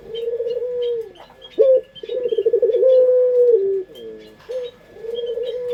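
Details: Local Indonesian puter collared dove in the prized 'pelung' style, kept as a pet and used as a lure; melodious low coos run as long sustained notes, some trembling and pulsed, some sliding downward, with faint chirps of other birds behind.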